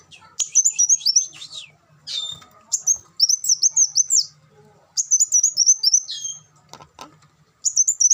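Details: Singing olive-backed sunbird used as a tutor for caged birds: high-pitched twittered phrases, each slurring downward at the end, repeated about every one to two seconds.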